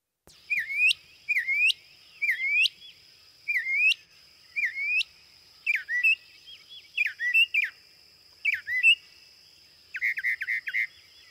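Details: Northern Mockingbird song, a varied succession of phrases: a bright rising whistled slur repeated five times, then shorter downslurred chips repeated several times, ending with a rapid burst of buzzy notes, against a faint steady high hiss.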